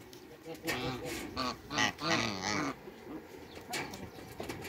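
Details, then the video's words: Two male and one female Toulouse geese in a backyard give harsh, nasal honks in a loose, uneven series, rising and falling in pitch, with a faint human voice mixed in. "TWO MALE ONE FEMALE TOULOUSE GEESE AFTER THE CREATE WATERBIRDS IN THE BACKYARD"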